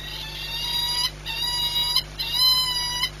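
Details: Peregrine falcon at Płock, Poland, 22 March 2021, 14:39: three loud, drawn-out, harmonic wailing calls of about one second each, separated by short pauses, over a constant low electrical hum.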